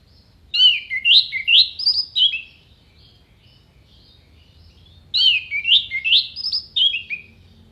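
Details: Anis merah singing crisp, clear-voiced phrases meant as contest training: two matching bursts of rising whistled notes, each lasting about two seconds, spaced by roughly three seconds of quiet.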